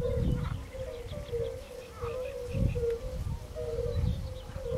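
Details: Red-necked grebe recorded on 10 May 2022 gives a long, steady series of low, nasal, braying notes with a slight waver, over heavy wind rumble.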